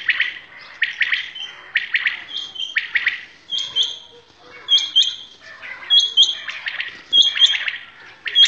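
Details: Village common quails at Shahbazkhel, linked to quail hunting, giving crisp high-pitched notes grouped in threes, repeated roughly every second with overlapping chirps from several birds.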